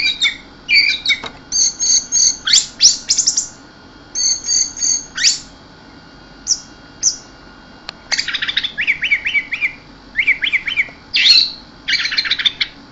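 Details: Orange-headed thrush delivering 'keserr' style song: rapid clusters of high chattering notes and brief whistles, broken by short pauses.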